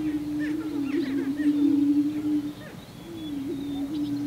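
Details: Greater prairie-chicken males displaying on a spring lek in mating ritual, booming together in low, hollow, wavering moans that swell and fade, with faint higher cackles and whoops scattered above.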